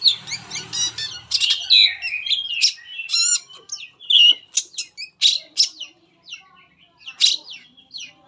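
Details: Long-tailed Shrike lure song for getting other shrikes singing, a dense run of squeaky chirps, quick whistles and scratchy notes, with a low hum in the first second.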